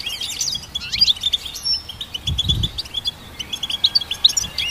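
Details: Goldfinch hybrid song for songbird training: fast, liquid twitters and chirps run nearly nonstop, with a few sharp, higher notes and a faint low thump partway through.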